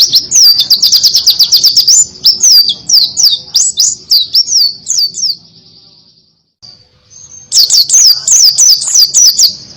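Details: Buxton's white-eye song in 'tembakan kenari' (canary burst) style: fast strings of thin, high, down-slurred whistles about three per second, a brief pause, then another rapid burst. A faint low hum sits underneath.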